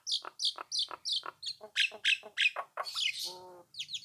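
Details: Nias hill myna in full song, used to draw rival birds into replying: a fast series of sharp downslurred whistles, loud clipped squawks, a short nasal buzzy stretch and quick high slurred notes.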